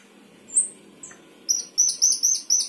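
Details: Sooty-headed bulbul in 'gacor isian' song: two thin high whistles, then a quick series of bright, high paired chirps repeated about every quarter second.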